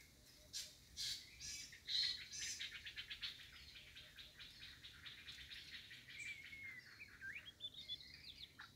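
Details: White-rumped shama, a wild forest bird, in high-pitched song: sharp bright chirps and short buzzy bursts, then a fast run of clicking notes mixed with thin whistles that rise and fall, over a quiet background.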